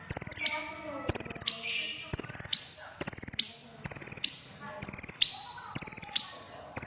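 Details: Red-breasted crimson sunbird, known locally as konin, singing actively: high, thin whistled notes with rapid ticking trills, given in short bursts about once a second, each burst ending in a sharp falling note.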